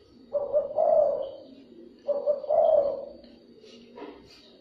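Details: Dove-luring call of a spotted dove: two soft two-part coo phrases, a short hoot then a longer rolling coo, followed by quiet with faint clicks.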